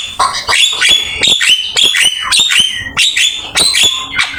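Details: Black-winged myna master song for training birds: loud, harsh calls with ringing overtones repeated about every half second, each a grating squawk ending in a clear whistle.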